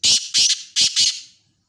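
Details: Black francolin calling: four harsh, grating, high-pitched notes delivered as two quick pairs, each pair a short rasping burst followed by a slightly longer one, with nothing else audible.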